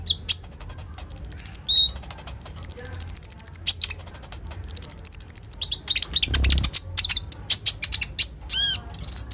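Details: Common iora (konin) in full, energetic song with rapid-fire 'roll tembak' fill, recorded on a smartphone and used as a lure to coax sunbirds into singing; very high, thin notes in fast machine-gun bursts and long buzzy trills, with brief pauses between runs.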